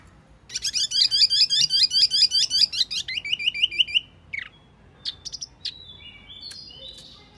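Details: Wambi mini lure sounds: a long, rapid rattling trill of high slurred notes lasting about three seconds, followed by scattered brief chirps and faint thin whistles.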